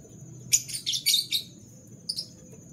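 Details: Canary singing in the morning: a quick burst of several rapid, high, buzzy chirped notes lasting about a second, then two short separate chirps, over a steady high-pitched background tone and low room hum.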